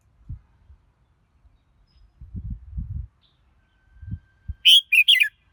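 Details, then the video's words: Several dull low knocking and rustling sounds come first, then a red-whiskered bulbul bursts in with a short loud whistled phrase of three notes falling in pitch. "Chào Mào Hót Hay Nhất"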